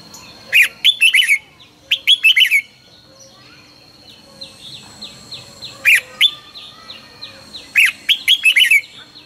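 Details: Red-whiskered bulbul in morning song training, delivering repeated bursts of rapid, bright warbled phrases, each of several quick notes, separated by pauses of about three seconds, with soft chirping of other birds between.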